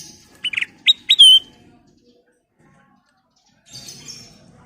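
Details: Sooty-headed bulbul (kutilang emas) in full song, played as a lure for other birds: three short, bright, upslurred whistles followed by a longer falling whistle, then silence and a faint high twitter.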